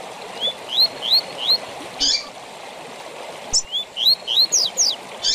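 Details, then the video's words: Double-collared seedeater singing tui tui zel zel, a song used to tutor captive birds: a series of clear rising whistles, a buzzy burst, then another run of upslurred whistles with sharp downstrokes, over constant water-like noise. "TUI TUI ZEL ZEL DE FIBRA TOP PARA ENCARTE DE COLEIROS E PAPACAPIM"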